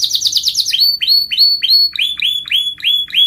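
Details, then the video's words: Canary song in a rolling style: a brief fast trill followed by a steady series of clear upslurred notes repeated about three times a second, each ending in a bright whistle. "kenari ngerol merdu"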